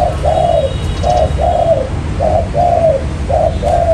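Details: Spotted dove coos used as a lure for trapping birds: low, soft phrases of a short note followed by a longer hoarse coo, repeated roughly every second with a steady rhythm against background hiss.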